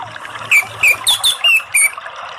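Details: Orange-headed thrush phrases used for training caged birds to sing: six loud, short whistled notes, each sliding slightly downward, given about every quarter second over a soft background hiss of water.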